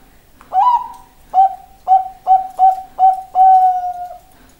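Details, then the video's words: Perkutut bangkok, a zebra dove, opens with a sustained coo, runs through five quick staccato coos, then ends on a longer level drawn note; clean, quiet surroundings. "perkutut bangkok suara tergoda"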